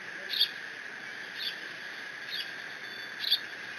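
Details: At the Decorah nest on 30 June 2017, a bald eagle chick mantling its father's fish gives four thin, high-pitched squees about a second apart against a steady background drone.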